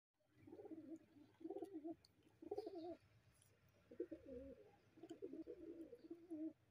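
A domestic fantail pigeon gives five low, throaty, rolling coos, each about a second long, at a steady pace with short pauses; the background is otherwise quiet.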